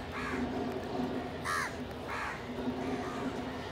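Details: Crows feeding together alongside pigeons, calling in a group; harsh caws at about 0.3, 1.5, 2.2 and 2.9 seconds, with a steady low hum underneath.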